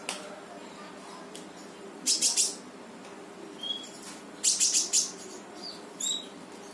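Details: Brown-throated sunbird (konin) in energetic 'gacor full tembakan' song, played to prompt a silent bird to sing: short bright buzzy bursts high in pitch, two clustered volleys about two seconds apart, a few thin whistles between, over steady background hiss.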